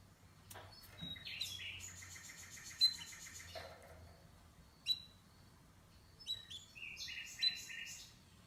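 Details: Canary giving soft mixed song of buzzy trills and sharp chips, with a low murmur of background noise and a few louder clicks.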